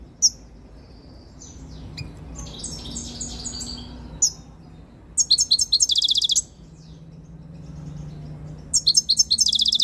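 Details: A very tame European goldfinch coming into breeding condition, recorded close up, gives scattered thin high notes and a tinkling phrase, then two dense bursts of fast, sparkling twitter near the end.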